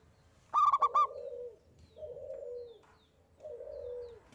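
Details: Lively local zebra dove in the 'engkel' style, sung to stir other doves into song: one fast burst of four rolling coos, then three softer, lower, slurred calls spaced about 1.5 seconds apart.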